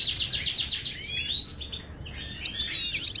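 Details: European goldfinch from Morocco, wild, in the Ouidani song style used to tutor caged birds: a fast descending series of bright notes, a soft rising slur, then a loud ringing whistle.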